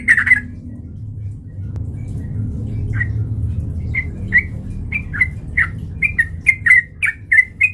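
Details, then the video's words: Sooty-headed bulbul, a lively singer, with song used as a lure to provoke fighting: short bubbly notes near the same pitch, sparse at first and then quickening into a run of about a dozen clipped phrases over a low background hum. "PANCINGAN trucukan gacor TARUNG MENJADIKAN burung trucuk gacor NYAMBAR"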